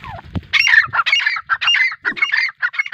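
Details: Grey francolin, locally called teetar, calling loudly: a rapid run of harsh, ringing notes in close bursts, each about a quarter second, with a few short gaps. A low thump sounds near the start.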